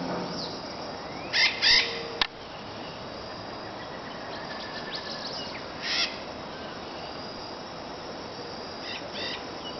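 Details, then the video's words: Red-shouldered macaw in an urban forest behind a residential condominium: harsh, raspy screeches in short loud bursts, a pair early on, then single squawks spaced several seconds apart, over a steady hiss of background noise. "Canto Ararinha Maracanã"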